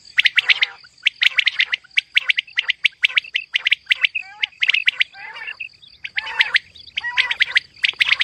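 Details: Female common quail (batair) calling continuously: dense runs of sharp, high chirps in quick clusters, with a few softer descending notes mixed in and a steady faint high tone behind.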